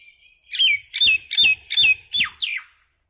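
A common myna gives six harsh, chattering notes, each a bright squawk falling from high to lower pitch, repeated about every third of a second.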